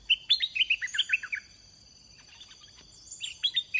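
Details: Red-whiskered bulbul singing at a bird-luring session. A rapid string of about ten cheerful warbled notes starts the recording, followed by a quiet gap, then a softer burst of similar chirps. A continuous high whine is present.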